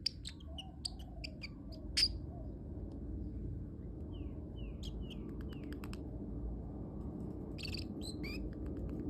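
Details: A pet parrotlet making cute sounds: scattered high, sharp chirps and short descending squeaks, some in quick clusters, over a steady low indoor hum.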